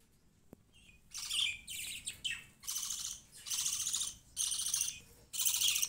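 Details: Baby budgerigars living alongside pet rabbits chatter in about seven harsh, buzzy bursts, roughly one each second, loosely spaced and of varying length.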